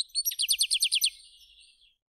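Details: European goldfinch singing in a village setting: a quick run of about nine bright, high, liquid twittering notes in one second, then a softer, fading tinkling trail. No other sounds are heard.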